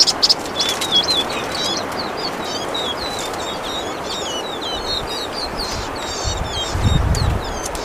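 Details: Vinous-throated parrotbills (Paradoxornis webbianus bulomachus) singing: quick, high, thin chirps and twitters in a busy, overlapping stream, over a steady hiss of wind or water and a low rumble near the end.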